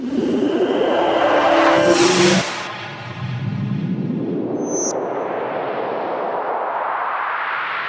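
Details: A loud whoosh with tonal music-like effects cuts off, followed by a rising swept noise and a brief high beep, with no animal sounds.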